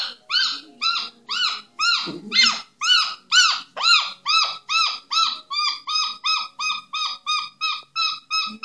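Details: A recently rehomed pet Moluccan cockatoo (Cacatua moluccensis) playing and clowning around gives a steady run of loud, harsh, arched squawks, about two per second, while a person briefly speaks.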